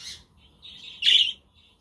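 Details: A budgie on a windy, sunny day, a quaker and conure nearby: a brief chirp, a soft buzzy warble, then one loud harsh squawk.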